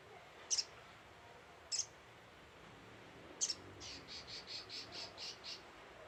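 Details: Scarlet-headed flowerpecker lure call: three high, sharp doubled ticks over about three seconds, followed by a softer run of seven evenly spaced high notes from another bird.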